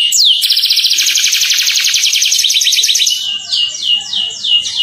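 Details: Atlantic canary singing to lure other canaries into song, opening with a long fast rattling trill and ending in slower repeated downward-sweeping whistles.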